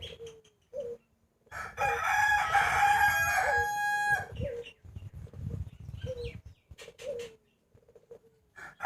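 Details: Morning crow of a rooster near New Year 2020, a strong harmonic crow of about two and a half seconds, surrounded by shorter, softer crowing and clucking calls from other chickens.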